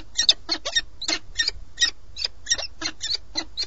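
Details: A pair of peregrine falcons at a nest in Alcalá de Henares, Madrid, Spain, on 4 March 2017 exchanges harsh, rasping notes about three times a second, a steady chattering recognition call between mates.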